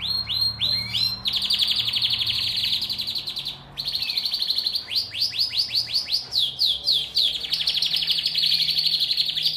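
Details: A canary sings song meant to bring females into breeding condition: a long, rapid, high-pitched song of rolling trills and quick rising sweeps, about four phrases a second, with only faint background hum.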